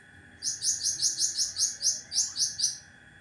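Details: Sharp song burst from a cucak ranting: a quick string of around eleven high, piercing chirps, each clipped and rapid, with a small gap before the last few notes, a constant low hum behind.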